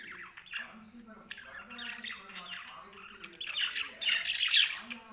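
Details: Caged lovebirds in the morning, happy while their cage is cleaned: harsh, shrill squawks and chatter, scattered at first, then building into a dense burst of loud screeches near the end, over a low humming background.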